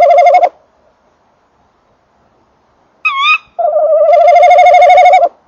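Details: Tawny owl, a male at and in a nest box, 19:48 on 28 December 2013, with the female calling nearby: a short trill, a quieter higher wavering note, then a long rolling warbled trill of nearly two seconds.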